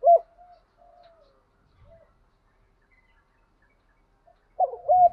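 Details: Decoy spotted dove cooing in the morning to provoke wild doves: a low, mellow two-note coo at the start, soft muffled coos in between, then a louder coo near the end. The background is otherwise quiet.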